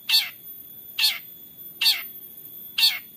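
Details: Long-tailed shrike from Central Java, Indonesia, recorded on an Android phone as a lure to push quiet shrikes into singing: four harsh, rasping, broadband bursts about one second apart, each with a descending edge, over faint background hiss.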